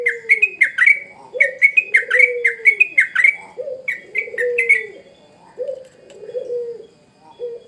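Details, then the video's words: Energetic Sooty-headed bulbul song: bursts of quick, clipped chirps separated by short pauses, with soft lower whistled notes repeating underneath and continuing alone near the end. "Burung trucuk gacor"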